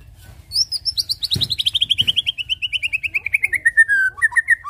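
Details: White-rumped shama singing, used as a lure to make birds sing: a long rapid series of evenly repeated notes sliding steadily down in pitch for about three seconds, ending in short whistled phrases; faint low hum behind.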